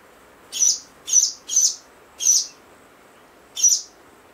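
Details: Pied stilt (Himantopus leucocephalus) at a nesting site, Sandy Cove Reserve, Port Fairy, late November 2020, two pairs building up nests against rising water after a downpour; five sharp, high, yapping calls at uneven intervals over four seconds, faint hiss.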